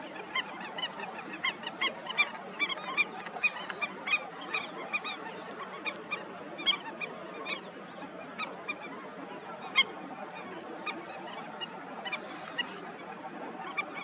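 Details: Breeding colony of Indian skimmers, a dense chorus of many short, clipped nasal calls spilling over one another, with a brief hiss near the end.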